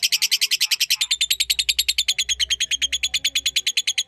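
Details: Lovebird chattering steadily, recorded for teaching magpie-robins: a continuous train of strident, squeaky notes, roughly seven per second, steady and high throughout, with a faint low hum underneath.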